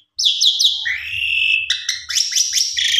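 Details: Javan pied starling in full-variation gacor song, used as a lure recording for a sulking bird: bright whistled notes falling in quick steps, a long slurred whistle, then rapid chattering phrases near the top of the range.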